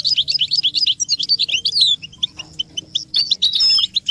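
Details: American goldfinch singing for teaching chicks: quick tumbling twitter at the start, then scattered high chirps and short buzzy notes, ending with a bright warbled burst.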